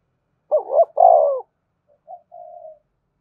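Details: Spotted dove cooing to stir wild doves into calling and drawing them in: one loud, low two-part coo with a throaty break, then two softer, shorter coo notes after a pause.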